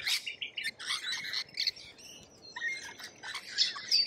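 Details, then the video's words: Lorikeets calling in Australia, quick clusters of shrill chips and screeches, a short lull, then sharp squealing notes and thin whistles return. "Australian wildlife Lorikeet"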